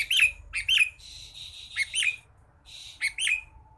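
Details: A sooty-headed bulbul with a cricket still in its mouth gives short, bright, bubbly whistled phrases in quick pairs, with harsh scratchy notes between them and a faint low hum behind.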